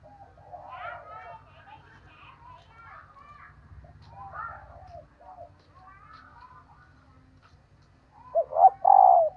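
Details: Calling female dove meant to draw males: after stretches of mixed twittering birdsong and a faint low hum, a loud phrase near the end has two short coos and a sustained coo.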